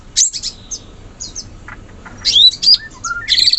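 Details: Sooty-headed bulbul, wild in forest, giving sharp high chirps and brief whistled slurs separated by pauses, ending in a louder cluster of sweeping notes.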